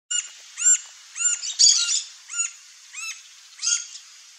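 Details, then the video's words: Green-barred woodpecker song; a series of loud, clear, ringing, arched notes, repeated about every half second with steady spacing, on a quiet background. "CANTO do PICA-PAU-VERDE-BARRADO (COLAPTES MELANOCHLOROS), GREEN-BARRED WOODPECKER, PICA-PAU CARIJÓ."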